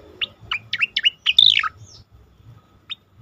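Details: Asian pied starling song used as a training recording for competition birds: a short burst of sharp whistled and slurred notes, a loud descending squeal in the middle, then a single clipped note after a pause.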